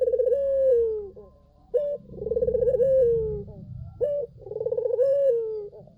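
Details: Barbary dove singing hard as a decoy call for other doves: long descending coos, each followed by a short abrupt note, with a quick pulsing burr leading into the next drawn-out tone; faint low rumble underneath.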